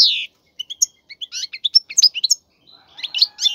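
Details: Caged male European goldfinch singing for mating to spur a female into breeding; a falling squeal opens, followed by spaced sharp chirps and varied twittering notes.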